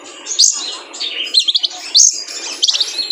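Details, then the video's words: High-pitched song of a male kolibri ninja sunbird, used to train cage birds. It gives sharp squeaky notes and quick stuttering trill fragments in short spaced bursts over a faint hiss. "PANCINGAN KONIN JANTAN BIAR GACOR FULL MATERI MELATIH BURUNG KOLIBRI NINJA"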